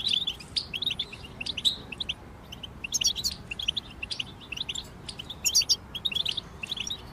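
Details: European goldfinches in group song, used to help moulting goldfinches sing; quick overlapping chirps and twittering trills, high and liquid, rising and falling in short bursts over soft background hiss.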